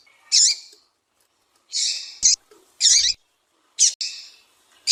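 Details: Female Double-collared seedeater calls, used to stimulate a captive male to sing: short, harsh, buzzy notes in separate bursts, some doubled, about one burst per second, with faint low thumps between them.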